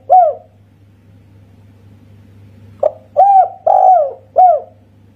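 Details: Indonesian tekukur, the spotted dove, with a 'kuk satu' voice: one mellow coo, a pause of over two seconds, then four low rounded coos in quick succession, the fourth more clipped. A constant faint hum lies beneath.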